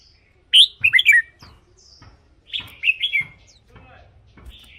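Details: Caged red-whiskered bulbul, sound intended for decoy use or to make birds lively: two cheerful warbled phrases about two seconds apart, each a tumbling run of four or five bright notes, with faint thin calls between.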